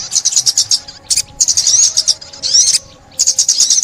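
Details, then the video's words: Sunbird song from a 2021 trap-lure recording: clipped high chirps and a rising whistled sweep, then a short silence before the chirping resumes. "Tiếng Chim Ốc Mít"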